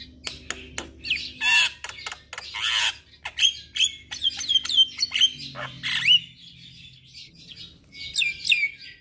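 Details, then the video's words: A myna (jalak kebo) sings a varied run of clear whistles and sharp chirps, mixed with harsh rasping bursts, over a faint low hum; played as therapy for stressed birds that stopped singing. "Terapi Burung Jalak Stres Macet Bunyi"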